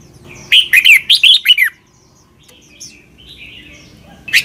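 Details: Red-whiskered bulbul giving a clear doubled 'beurn' song phrase for young birds to learn: a rapid run of six warbled whistles, followed by quieter distant bird notes and the start of another phrase.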